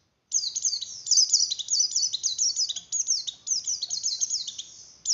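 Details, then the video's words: White-eye (pleci) giving an 'oper birahi' breeding-arousal song in the 'ngeleper' style, meant to stimulate breeding condition in other white-eyes: a fast, unbroken stream of high, thin, sharply falling chirps and twitters with one short break near the end. "Suara Pleci Oper birahi Cocok Untuk Menaikan Birahi Pleci"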